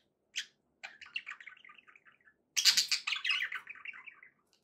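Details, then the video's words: Pet budgies sounding happy, one sharp chirp followed by a soft run of descending twitters, then a louder burst of rich scratchy warbling that fades out. "happy budgie sounds"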